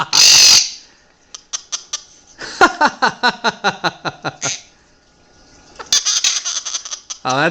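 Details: A pet Blue-crowned Conure, talkative in the morning, laughs back when laughed to: a harsh squawk, then about fifteen quick, falling, laugh-like notes, four or five a second, with a person speaking softly.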